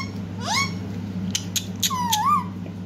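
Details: Pet Indian ringneck parakeet known as a talking bird, giving rising squeaky whistles, a few sharp clicks and a long wavering whistled note, heard indoors over a steady low hum.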